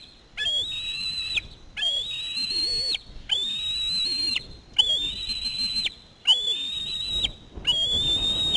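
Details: Screaming osprey chick during back-to-back fish deliveries by a parent; long, shrill whistled screams about a second each repeat at steady intervals, six in a row, each slightly rising.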